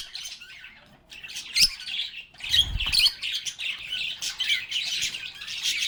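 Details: Singing, playing and talking lovebirds: quieter chirping at first, then swelling into dense squeaky chatter after a soft low thump, continuing in busy overlapping twitters.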